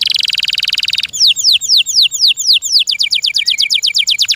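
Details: Canary, a kept bird, singing a high buzzy rolling trill, then slow loud downslurred whistles that change into a faster, higher series of repeated notes.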